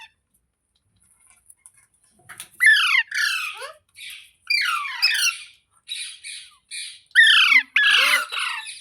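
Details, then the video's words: Parrot calling indoors after a quiet start. Rapid runs of grating, downward-sweeping screeches follow almost without pause, with a faint thin whistle early on. "Parrot Talking Sounds Videos | Parrot Voice |Parrot Ki Awaaz"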